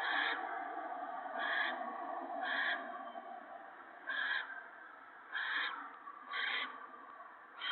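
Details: Owl nest during evening feeding on 28 March 2017, gopher brought for the owlets: repeated harsh hissing bursts, about seven, irregularly spaced roughly a second apart over constant wheezy noise.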